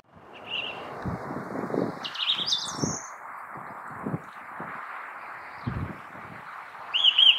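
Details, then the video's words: Song thrush (Turdus philomelos) singing: short bright whistled and twittering phrases, some doubled, come in spaced bursts over a loud, steady rushing background noise that partly masks them. "Zorzal común CANTANDO 4K (Turdus philomelos) Song thrush, Tordo bottaccio, Grive musicienne"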